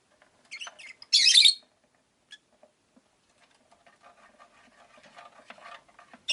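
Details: Rosy-faced lovebirds in a cage near a window, five birds: quick twittering notes, then a long harsh rasping screech, soft chatter, and another shriek at the end.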